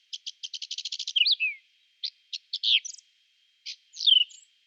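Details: Whinchat singing in spring, April 2020, in woodland: a quick series of dry clicking notes speeding into a rattle, then short scratchy warbled phrases with high squeaky notes, separated by brief pauses; no other sounds.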